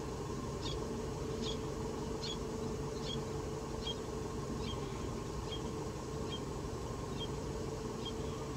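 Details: Recorded 25 August 2017: a Common Redshank gives short, high piping notes, about one every 0.8 seconds, over a steady low rumble of traffic or engine noise.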